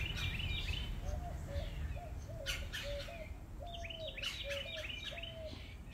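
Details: Red-bellied Woodpecker, likely a male announcing his arrival in a Texas Gulf Coast backyard garden in early morning, giving clucking chirps, short, low, slightly falling notes about two a second, among higher chirping birds and steady rumble.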